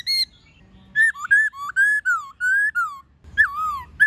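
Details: White-cheeked laughingthrush, wild-style varied song with a female calling, used to train captive birds: a high note, a pause, then a string of rich whistled phrases rising and falling, ending in sliding looped whistles.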